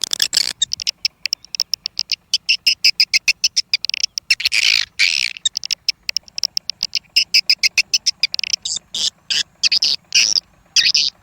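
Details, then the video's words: Swiftlet test sound, an original swiftlet call recording imported from Malaysia for use in swiftlet houses: a fast, steady stream of dry, high chirping clicks, several per second, with brief gaps. "Sound Test of Swiftlet សម្លេងដើមរបស់សត្វត្រចៀកកាំ"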